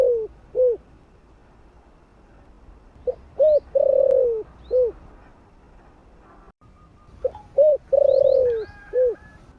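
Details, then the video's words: Spotted dove calling in the morning with two full cooing phrases: short soft notes leading into a long, warm, slightly falling coo and a closing coo, the phrases about four seconds apart. "Cu gáy GÁY GỌI buổi sáng giọng ấm"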